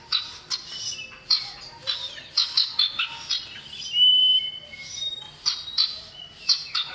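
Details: Male common iora calling for a female in a lure recording: loud clipped chirps and squeaky notes in quick bursts, with one drawn-out level whistle midway.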